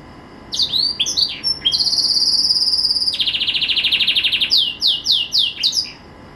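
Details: Household green canary singing melodiously: quick slurred notes, a high sustained whistle, a lower rapid rattling trill, then a series of falling sweeps.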